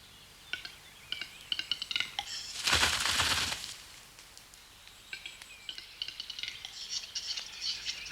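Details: Lekking western capercaillie males in mountain forest give dry, metallic clicking strophes in loose series, answering each other, broken by a rushing burst of wing noise from a display jump lasting about a second, then the clicking resumes.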